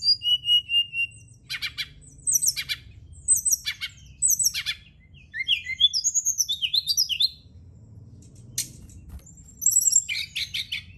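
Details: Night-time brown-chested jungle flycatcher song used to stimulate other birds to sing: sharp repeated clicks and chips, tumbling varied whistles, trills and high rising notes in lively bursts over about eleven seconds, with a soft low hum beneath.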